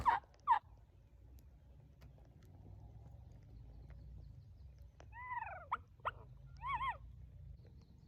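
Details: On an Easter weekend during the 2024 spring hunting season, a wild turkey gobbler with hens, one of two birds together, pitches down and gobbles repeatedly: short, loud, rattling bursts, some close and some distant, over a low outdoor rumble.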